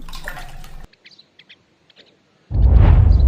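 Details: Running water and soft drips, then a loud rushing gush like a tap or flush, with no animal voice.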